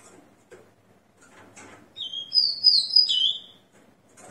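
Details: Song of a ringed, captive Rufous-collared Sparrow after moulting, taped at six a.m. on 29/09/2021: clear whistled notes, the first level and lower, then brighter slurred notes dropping at the end, about one and a half seconds long.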